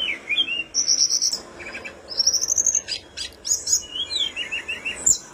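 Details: High-pitched song of a tledekan gunung flowerpecker, active and full: thin trills, rising twittering runs and sharp clicks alternate, with faint background hiss throughout.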